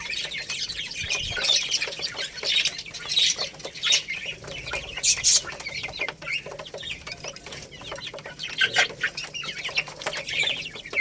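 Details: Young Lohmann Brown chicks, little rooster and baby hen, eating rice; continuous chorus of overlapping high peeps with louder spikes and constant tapping clicks.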